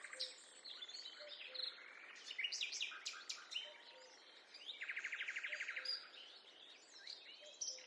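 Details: Forest birds singing together during a walk in the woods: high chirps and whistles overlap, a fast rattling trill of even buzzy notes runs near the middle, and soft low whistled notes repeat underneath.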